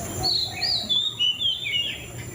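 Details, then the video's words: Clear high whistled phrases from a white-rumped shama, smooth rising and falling slurs strung together in a short fluent run, background hum low. "Suara Burung Murai Cacing"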